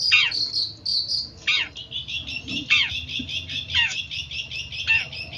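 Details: Song of a long-tailed shrike, from a recording used to train birds: rapid high whistles in a steady series, punctuated every second or so by a rasping downslurred note.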